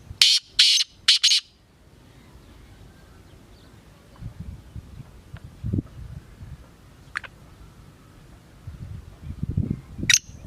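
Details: Call of a black francolin (kala teetar): three harsh grating bursts open the recording, then a long stretch of low rumbling and scattered clicks, ending with a single sharp note.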